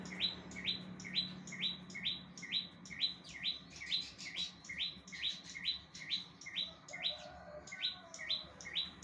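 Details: Bar-winged prinia singing hard with evenly spaced rising chirps, roughly two each second, repeated without a break for nine seconds. A soft low hum sits in the background.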